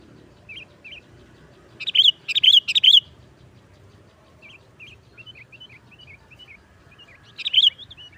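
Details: Sooty-headed bulbul, 'nggaruda' song style used as a lure for trapping; two loud bursts of three rich whistled notes, with many soft, quick chirps between them.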